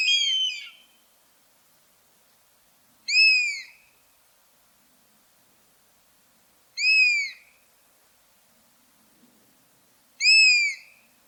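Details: Four loud, clean mewing calls from a buzzard, each a short downward-arching whistle with strong overtones, spaced roughly three to four seconds apart in otherwise silent surroundings.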